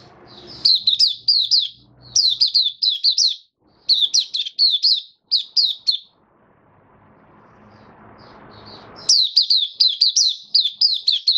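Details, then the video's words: White-eye kept as a cage bird, singing on 18 May 2022 following deworming and supplements: clustered bursts of quick, high, sliding chirps in groups of four to six, a pause with background hiss, then more rapid phrases. "Mata Puteh Kitaro buka sing"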